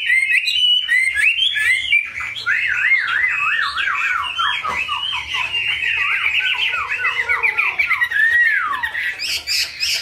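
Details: Chinese hwamei kept as a cage bird delivers a rapid, looping whistled song of wavering, up-and-down notes repeated in quick succession, ending in a falling slur and a sharp high note.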